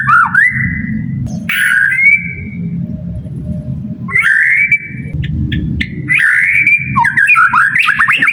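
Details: White-rumped shama song played as a lure to get kept shamas singing; loud clear whistles held at a steady pitch, broken by swooping and warbled notes, phrases separated by short gaps, over constant low rumbling noise.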